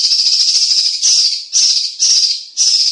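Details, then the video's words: Loud, dense song of a cucak cungkok, offered as a tutor for contest birds: five rasping, high-pitched bursts in three seconds, each swelling then fading, almost back to back. "Burung Cucak Cungkok JIIOOOOOSSSSS"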